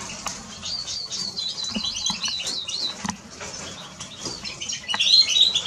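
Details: Eurasian siskin twittering in quick warbled phrases, ending in a loud, drawn-out buzzy wheeze after five seconds, with scattered taps and clicks.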